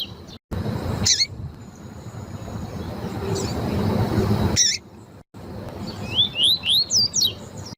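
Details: A female Lined Seedeater (coleiro tui tui) gives a few sharp, high chirps, then a quick run of thin, swooping whistled notes that rise and fall, over a steady hiss; breeders use these calls to stimulate and train males.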